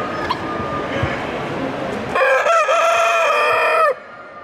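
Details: Bielefelder rooster of the German dual-purpose breed gives a loud, harmonic crow lasting nearly two seconds with a brief break and a falling end, after a stretch of rough background noise.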